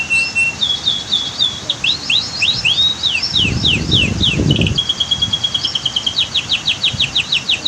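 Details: Canary song for a training recording with a waterfall and dam in the background: a low whistle opens, then rapid sweeping chirps, a brief steady tone and fast repeated notes. A burst of louder water rush runs through the middle.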